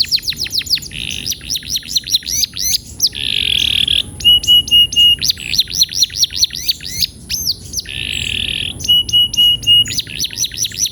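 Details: Lively male canary performing song intended to help canaries start rolling; rapid repeated sharp whistled notes, several flat held tones and two harsh buzzy rolls, all loud and continuous with a constant faint high-pitched hum.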